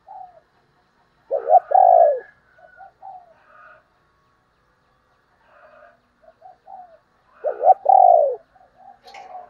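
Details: Spotted dove used as a lure for other doves: two loud low phrases, a couple of quick coos then a long falling one, about six seconds apart, with soft cooing and higher rasping notes between.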